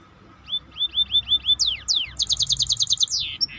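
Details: Maestro bird singing a row of upturned whistled notes, two long falling slurs, then a fast pulsing trill of high notes and a closing buzzy flourish.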